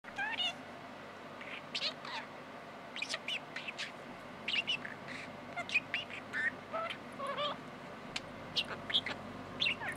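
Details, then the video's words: Peeko, a 6-month-old male American budgerigar, chatters in quick, high, warbling bursts of squeaks and clicks, with speech-like phrases such as "kiss kiss" tumbling out every second or so over a quiet background. "Talking Parakeet"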